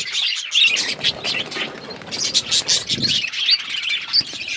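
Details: Chirping budgies recorded February 18, 2024, a crowded mix of squeaky tweets, rasping warbles and short high whistles overlapping without pause, plus a faint low rustle.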